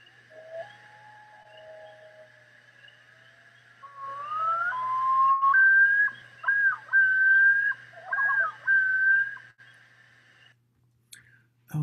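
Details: Common Loon, with at least two birds vocalizing, recorded minutes west of Augusta, the state capital: long, pure, wavering whistles that climb in pitch, then a run of looping repeated phrases over a faint steady hum.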